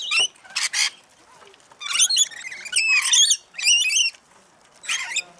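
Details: Australian rainbow lorikeets feeding in a frenzy at Mount Tamborine, Queensland: separate clusters of shrill, raspy squawks and twittering notes, about five bursts over five seconds with quiet gaps between them.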